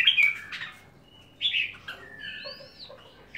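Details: Red-whiskered bulbul song: loud, varied whistled phrases with bright chirps, a rising and falling slurred whistle, and softer notes between bursts, in a quiet setting.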